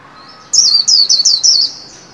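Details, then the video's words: White-eye in a cage, trained and singing the líu song for new year 2021: one quick phrase of five clear, shrill chirps, each sliding downward, over about a second. "Vành khuyên líu hay"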